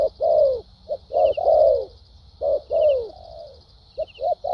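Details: Spotted dove cooing in the Vietnamese 'thúc gù' and 'lèo dặm' styles: paired and single low coos with downward-sliding tails and one long trailing note. A steady high hum and faint high chirps are heard.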